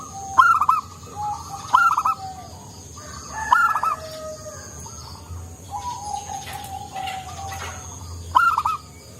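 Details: A keen-singing local zebra dove with a soft voice, used to stir up silent doves: five phrases, each opening with a crisp stuttered note and falling into mellow, stepped cooing, roughly every two seconds, over a low hum.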